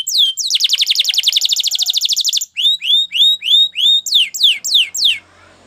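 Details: Canary training song with a rapid rattling trill of repeated descending notes, then slower clear upslurred whistles at regular intervals. The song closes with sharp falling notes.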